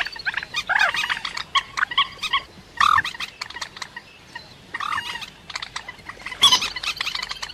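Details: Rail call recording intended as a lure for trapping birds; loud nasal honking notes come in irregular bursts, some sliding downward, with quieter gaps between the phrases.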